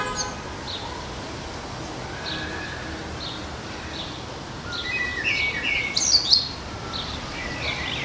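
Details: Common blackbird singing in a garden: faint, mellow fluted notes early on, then a louder burst of high, squeaky twittering and warbled notes after five seconds, against a soft background hiss.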